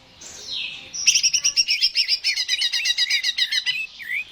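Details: Greater green leafbird song meant to spur a bird into singing: a slurred whistle opens, then a quick chattering sequence of doubled high notes, ending in a short downward whistle.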